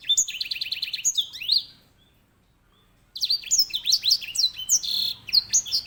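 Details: Edel sanger or grey singing finch (Serinus leucopygius), used as a master singer for canaries, delivers a fast trill of high repeated notes and downslurred whistles, pauses about a second and a half, then resumes with a jumbled warbling phrase.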